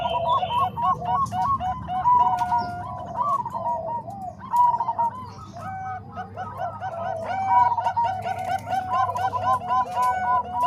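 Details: Bangkok and Cemani Kolbuntet zebra doves combined to train other doves, giving continuous trilling series of short hollow coos from multiple overlapping birds against a low steady hum.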